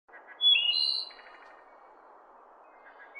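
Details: A wood thrush, recorded in its natural forest environment, gives one brief fluty phrase of clear high notes closing in a soft, rapid trill, then a faint note at the end over low background hiss.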